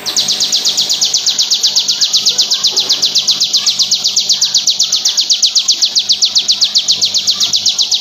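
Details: A bar-winged prinia (ciblek) gives a long, unbroken song of high, sharp notes, about four each second, machine-gun steady throughout, over faint background hum, a non-stop song used as a training or lure recording.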